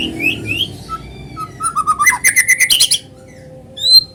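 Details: White-rumped shama (murai batu) song used as a lure to make other shamas sing: whistled rising notes, then a fast run of sharp repeated notes around the middle, ending with a high clear whistle.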